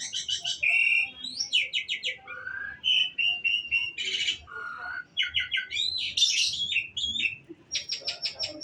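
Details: Bird pouring out a long, ever-changing song of fast trilled bursts, pure whistles at shifting pitches and scratchy rattles, each phrase separated by brief gaps.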